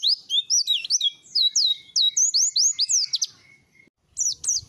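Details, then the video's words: A white-eye sings Langa Lingi training material, a fast chattering stream of high swooping and downslurred notes. A pause follows, then two sharp chirps. "Pleci materi Langa Lingi"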